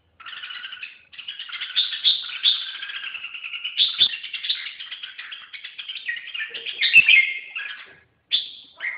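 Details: Continuous chattering warble from a red-whiskered bulbul, bright rapid notes running for about eight seconds with a brief pause near the end and a few faint clicks.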